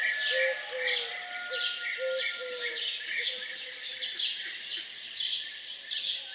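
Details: Morning songs from birds around a farmhouse: quick downward-sweeping chirps repeat over a chorus, while a lower, steady whistled tone sounds in short pulses nearly every half second.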